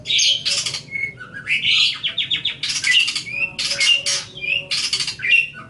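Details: Long-tailed shrike (cendet/pentet) song recorded for training cage birds: loud rasping squawky bursts alternating with short whistled notes and a fast rattling series, mimic-like variety, steady low background hum.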